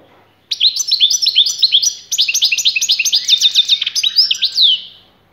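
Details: European goldfinch singing a fast, bright twittering run of high, liquid chirps for several seconds, a short pause midway, ending in a tinkling downward note, with a quiet background.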